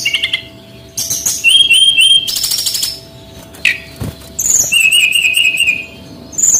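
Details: Male brown-chested jungle flycatcher from Bali singing, used as a lure for training young birds: bright whistled phrases, a fast buzzy rattle, then long wavering looped whistles with short pauses between bursts.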